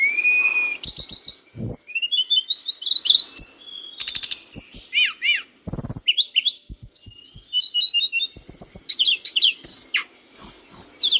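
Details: Training song of a lively mountain bush lark for cage birds, a rich stream of high whistles, down-slurred notes and buzzy rapid trills delivered almost without pause.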